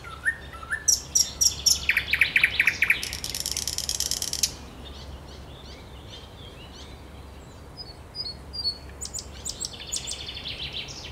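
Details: Thrush nightingale song recorded 10 May 2021: loud rattling and clicking phrases with sharp high notes in the first four seconds, then quieter tuneful strophes after a pause; faint background hum.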